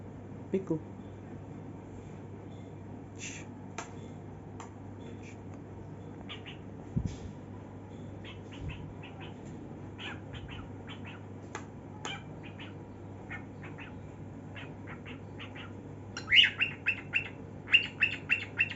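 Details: A cockatiel singing while head-banging and dancing indoors clicks and chirps softly, then breaks into bright, repeated whistled notes over a steady indoor hum.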